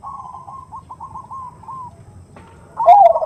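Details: Female zebra dove giving the nutut call to attract a male: faint wavering trilled notes fading out, then a sudden loud rolling coo at the end, with low background hum.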